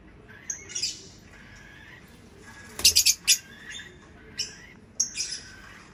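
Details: Lovebird chirps: sparse high squeaky notes, then a quick loud cluster of harsh chatter, followed by a few shrill chirps.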